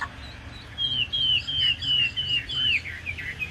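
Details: Caged Chinese hwamei, placed top 10 at Thanh Trì in 2019, repeats a series of about six high, clear down-slurred whistles in steady rhythm, with a low rumbling hum underneath.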